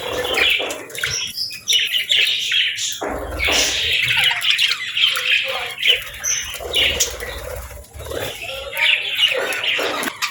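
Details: Budgies raising their chicks, parents gently feeding the little ones; bursts of raspy, high chirps and squawks come in clusters every second or two, separated by short quieter gaps, with faint low sounds between them.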